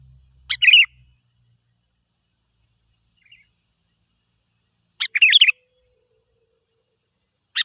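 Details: Sooty-headed bulbul in full voice, used to lure wild birds; short bubbling chirpy phrases separated by long pauses of about four seconds, with a thin steady high whine throughout.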